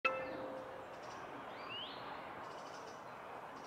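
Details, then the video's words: Male European greenfinch calling from a dead branch atop a holly tree beside the Long Water: a single drawn-out, rising wheeze after a sharp opening click, heard against faint broadband background noise. "Greenfinch calling"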